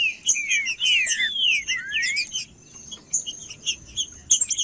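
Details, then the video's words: Green-winged saltator song meant to warm up a captive bird: a strong opening run of sweeping, slurred whistles, then quieter scattered chirps and a sustained high tone in the background. "TRINCA-FERRO CANTANDO FRIO"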